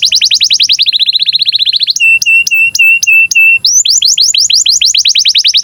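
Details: Canary in breeding condition, singing to tutor young birds: a fast trill of falling notes, a string of level whistled tones, then a long series of quick downward-sweeping chirps.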